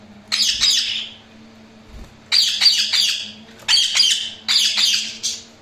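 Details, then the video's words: Budgies chirping with four clusters of scratchy, buzzy warbled notes, each cluster under a second, spaced by short silences and a low background hum. "Budgies Sounds| Budgies Chirping sound"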